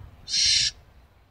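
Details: One short hissing shriek from a barn owl, sharp and rasping, starting and ending cleanly against quiet background.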